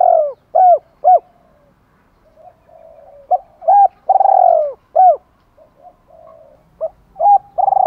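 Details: Female spotted dove used as a decoy, calling to stimulate males, in a call style with two ending notes: short soft coos in quick pairs, then longer drawn-out coos, with quiet murmuring between phrases.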